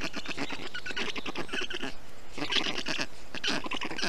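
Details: Black stork chicks calling in a nest in Estonia on 20 June 2021, while a parent cools the nest and storklets in the heat with water, moss and wet grass; dense, rapid, raspy bleating calls run throughout.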